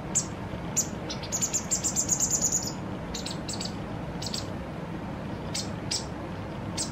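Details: White wagtail fledgling fed by its parent, two days before becoming independent, its last full feeding: thin, very high chips, scattered at first, then a quick run of about ten rapid notes, then sparser single chips over a low steady background rumble.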